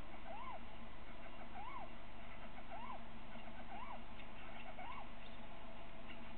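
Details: Little owl at a webcam nest in Winterswijk, 3 February 2017 at 17:55, during a short meeting where a third owl calls: five arched, mewing notes rising then falling, about one second apart, over constant heavy background hiss.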